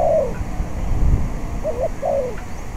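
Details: Spotted dove on a windy day at a decoy trap: one falling coo at the start, then a short double note and a slurred downward croo, over a steady wind roar.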